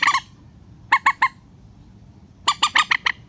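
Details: Rail calls used as a lure for netting birds: short bursts of harsh, nasal, harmonic squawks in quick groups of three to six notes, separated by pauses, over a quiet low background.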